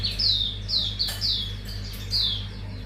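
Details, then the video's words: Lure song of a mangrove whistler, meant to trigger a full repertoire: loud, clear whistles that drop in pitch, given in short bursts about every half second, with a constant low background hum. "Pancingan Auriventer wikar bongkar isian"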